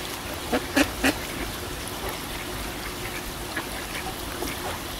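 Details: Ducks on a pond. Three loud nasal quacks in quick succession near the start, then quieter scattered calls over a steady wash of water sound.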